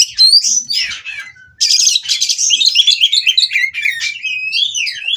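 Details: White-rumped shama singing in the mating period to provoke rival birds to answer, a rich fast medley of high whistles, buzzy trills and chattering notes, with a brief pause after the opening phrases.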